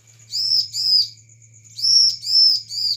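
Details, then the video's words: Bar-winged prinia used as a lure call to draw a quick response: bright, high chirping notes, each about a third of a second, in quick pairs and threes over a steady low electrical hum. "ciblek gacor"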